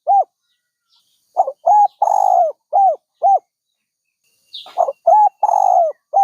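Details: Repeated dove phrases: a soft lead-in note, paired short coos, one long sagging coo, then two more clipped coos. The pattern starts again after a pause. The background is clean apart from faint distant chirps.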